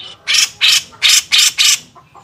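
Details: Grey-cheeked bulbul for songbird training: five loud, drawn-out grating bursts, each about a quarter second long, evenly spaced roughly every third of a second, followed by two faint short notes.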